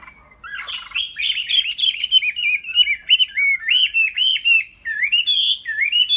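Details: Tame Chinese hwamei singing a loud, continuous run of rich whistled phrases, each note sliding up and down in quick wavy loops, delivered rapidly with barely a pause after a brief quiet start.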